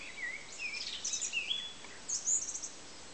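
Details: Song thrush singing: a lower rising-falling whistle opens, then a string of sharp high chirps and slurred notes, a short gap, and a final burst of high twittering.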